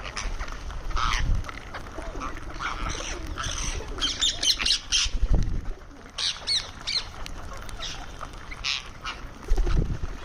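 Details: Indian ringneck parrot making sounds while eating: scattered harsh, grating squawks and short chattering notes come in bursts across ten seconds over a low rumbling background.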